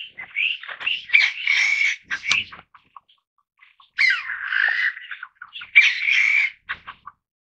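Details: Taiwan bamboo partridges in a family group let out two long outbursts of harsh, squawking chatter, each lasting about two seconds, separated by a quiet pause.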